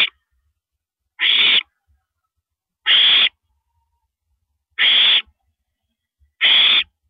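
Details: Owl recorded at 1:27 AM on April 9, 2012, a female swallowing a rabbit. Four loud, raspy, hissing screeches, each under half a second, spaced about one and a half seconds apart against near silence.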